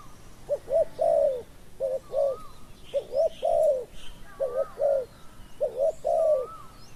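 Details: Spotted dove cooing while luring a wild bird that came slowly: five clustered phrases of quick doubled coos and a longer mellow croo, around one per second, with soft high whistles of another bird.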